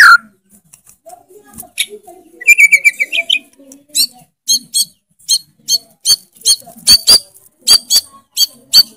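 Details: White-rumped shama (murai batu) in full loud song: a quick buzzy rising trill early on, then a steady series of short, sharp, high chip notes repeated about every half second, with faint low sounds behind.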